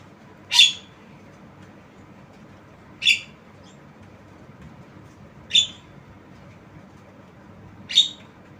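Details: Javan myna, described as tame, giving four short, harsh, squawky calls spaced roughly two and a half seconds apart over a quiet background hum.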